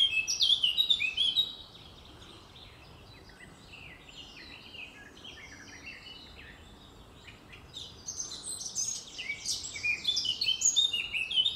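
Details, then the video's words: A Eurasian blackcap sings in a forest, giving rapid, high, chattering warbles with clearer melodious fluty whistles, one burst at the start and a longer one near the end, a quiet pause between. "черноголовая славка поет"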